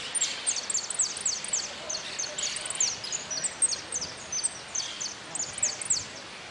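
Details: Goldfinch in a singing contest at an interclub cup closing, 04-03-18, delivers rapid high-pitched downslurred chips in a continuous rattling series, about three or four per second, against low steady background hiss.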